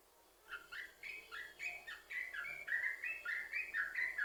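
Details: Yellow-vented bulbul starting its 'sambung ropel' song after a quiet moment, a lure to make other bulbuls sing; whistled, slurred notes build in loudness and speed.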